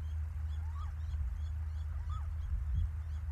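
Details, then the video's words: Little owls at Lichtenvoorde on 15 January 2024: two clear mewing calls, each rising then dropping slightly, about a second apart, over constant low rumbling wind noise. "Steenuilen Lichtenvoorde 15 januari 2024, Ze hebben er zin in."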